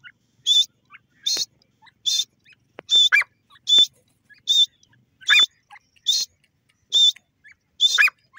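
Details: Grey francolin giving a steady series of loud, shrill, high notes, roughly ten repeats in eight seconds. Some notes have a lower rising lead-in, and faint clicks sound between them.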